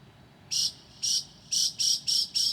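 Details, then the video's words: Northern mockingbird singing at 2 a.m. on 9 July 2008, mimicking other birds: six short, buzzy, high bursts, each about a fifth of a second long, repeated roughly every half second after a brief quiet start. No other sounds stand out against the still night. "HIGH QUALITY AUDIO of a Mocking bird at 2:00 A.M."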